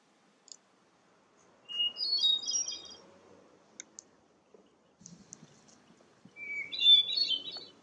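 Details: Hermit Thrush singing during a walk in a bog at Parc Frontenac, Quebec: a steady opening whistle followed by high, fluty, swirling phrases, two phrases separated by a pause, with faint low rustling and a few clicks.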